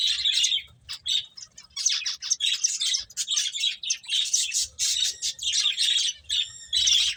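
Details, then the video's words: Finches chirping while eating: a busy flock of high, bright chirps tumbling over one another in dense bursts, with short gaps near one and six seconds. "Cute Birds Chirping Sounds | Beautiful Finches Eating"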